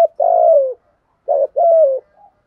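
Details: Spotted dove in 'giọng thổ' voice, male and female birds, used to train newly caught doves: a long, smooth, gently falling coo, a pause, then a short note and a second sustained falling coo.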